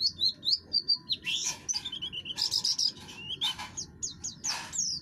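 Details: Harsh song of a buxtoni oriental white-eye, used to provoke other birds into singing. High twittering slurs mix with loud broadband scratchy bursts, with a low hum throughout.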